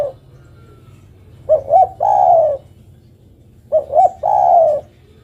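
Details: Female spotted dove calling to the male, giving two identical phrases about two seconds apart. Each has a pair of short hoots and a long, smooth coo drifting downward. Faint low hum between.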